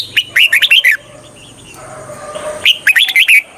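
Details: Red-whiskered bulbul serving as a trapping lure gives two lively phrases of five or six quick, looping whistled notes each, with a pause of soft background murmuring between them.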